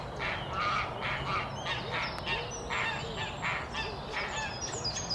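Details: Eurasian spoonbill chicks in a nest at a colony in Delftse Hout, near Delft in the Netherlands; nasal, honking calls repeat in uneven bursts about every half second, with high chirps of other birds in the background.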